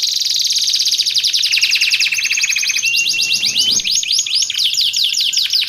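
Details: Frenzied canary song used for training and luring canaries: long rapid buzzy trills that step down in pitch, a short steady whistle, then dense rising trill notes repeated quickly to the end.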